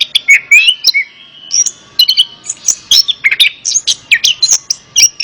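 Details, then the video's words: Orange-headed thrush singing, meant as therapy for a bird that will not sing: a rising slurred whistle opens a fast, varied run of high chips, trills and squeaky notes in tight clusters. "Terapi Burung Anis Kembang | Atasi Burung Anis Kembang Malas Bunyi Ikut Nyaut"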